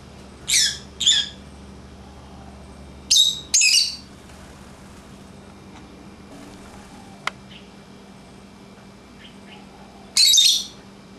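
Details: Lovebirds kept as pets, out of their cage and playing, give sharp shrill shrieks in pairs: two near the start, two more around three seconds, one last harsh burst near the end, with faint chirps and a click between.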